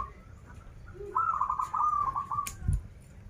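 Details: Local zebra dove from Banten in 'krital' and 'warung kebek' song styles: a short low note, then a bright, fast-quavering coo phrase lasting over a second, ending with a faint click and a thump.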